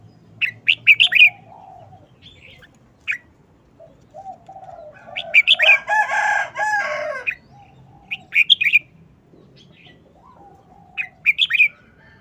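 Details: Red-whiskered bulbul in a cage with fast, short wild-song phrases of bright whistled notes, recurring every few seconds, interrupted midway by a long, loud harsh crowing call and some soft cooing.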